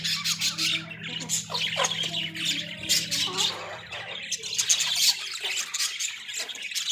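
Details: Australian budgies kept in a small cage as pets, giving dense, scratchy high chatter with quick squawks and chirps overlapping throughout, over a steady low electrical hum.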